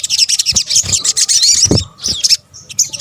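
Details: Sunbird, called sogok ontong locally, in a combined lure recording used to attract birds: dense, high, thin twittering chirps with quick overlapping notes for about two seconds, a short pause, then a few more sharp chirps.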